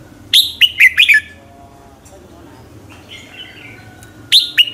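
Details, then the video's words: Red-whiskered bulbul's fired-up morning competition song, used as a lure to train and stir other bulbuls to sing: a quick burst of three or four bright, slurred whistled notes, a quiet stretch with soft warbling, then another burst at the end. "luyện giọng chào mào hót buổi sáng, Hót hay nhanh lửa"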